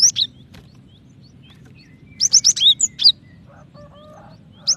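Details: Female cinereous tit calling the male: a few isolated high chirps, then a fast cluster of sharp, bright notes, followed by a faint low hum and one last chirp.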